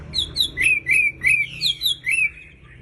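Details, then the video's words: Sooty-headed bulbul in breeding condition singing a quick run of clear, slurred whistled notes, about eight short phrases in under three seconds, each dipping and rising, over a faint low hum. "Burung wambi birahi gacor"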